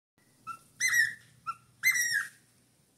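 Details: Four-month-old cockatiel singing a lot: two short whistled notes alternate with two longer, richly harmonic whistles that rise and dip slightly, in a halting sequence over three seconds; faint low room hum underneath.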